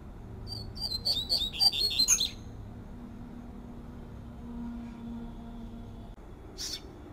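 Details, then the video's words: A double-collared seedeater sings outdoors in the fluted 'tui tui' song style. It gives a quick burst of high, sweet, flute-like whistled notes lasting about two seconds, then falls silent over a low steady background hum. "COLEIRO PAPA CAPIM CANTANDO TUI TUI FLAUTEADO"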